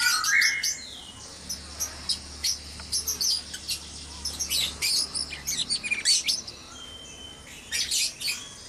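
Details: White-rumped shama in a breeding cage at dawn: an opening rising whistle, then repeated thin, high chips and short bursts in irregular clusters over a faint low hum.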